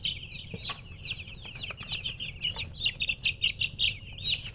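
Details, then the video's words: Chicks peeping busily, bright piercing down-slurred notes tumbling over each other at a rapid pace, with low background rumble and light tapping. "MURGI Baby "Chicks Chirping" Sound"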